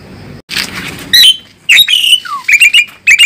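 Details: Asian pied starling, described as fierce, giving harsh broadband squawks followed by loud clear whistles, a falling slurred note and quick bursts of repeated short whistled notes, in a quiet indoor setting.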